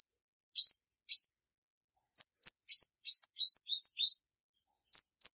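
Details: Two rising chirps from a female olive-backed sunbird lead into a fast, uneven series of high, sharp, hooked notes, followed by two brief clipped chips at the end. No background noise.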